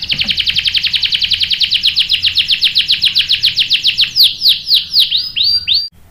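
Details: Canary song used to lure a male canary into answering. A dense rapid trill gradually slows into looping, downslurred whistled notes before it stops abruptly.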